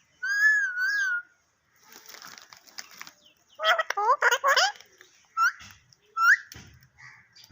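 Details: Talking parrot opens with a wavering whistled phrase, then fast raspy chatter in a dense cluster, followed by two short rising whistle notes.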